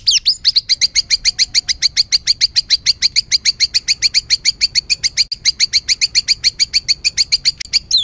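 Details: A white-rumped shama gives an agitated, rough song meant to rile other birds: a steady unbroken stream of sharp high chips, about three and a half per second, for the whole stretch.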